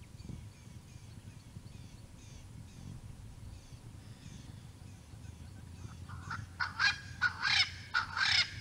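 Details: Male Swainson's spurfowl showing off his call at Naledi Cat-EYE, recorded by live camera on 10 November 2020: after quiet background chirps, four loud harsh grating bursts come in quick succession over the final two seconds.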